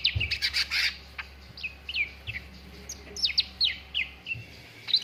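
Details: Lure recording of a cucak ranting for contest-bird training: a dense chattering burst at the start, then a steady series of clear falling whistled notes about every quarter second, with a faint low hum behind.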